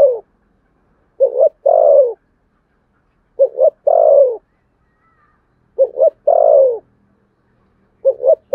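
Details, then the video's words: Sấm Thổ-voice contest cooing of a spotted dove, with four regular phrases of two brief notes and a longer descending coo, spaced roughly every two and a half seconds. "tiếng cu gáy thổ sấm/ chim cu gáy gù đấu và thúc bài bản giọng Sấm Thổ"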